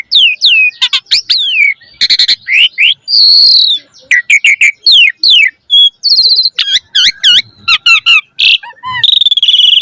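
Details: Varied song of an Asian pied starling, a lure for training other starlings' repertoire: dense run of sweeping whistles, harsh noisy bursts, rattling trills and high squeals packed into quick successive phrases.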